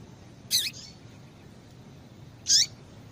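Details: A female double-collared seedeater gives two brief, high, sweeping call notes about two seconds apart, over a faint low hum; such female calls are used to excite males into singing.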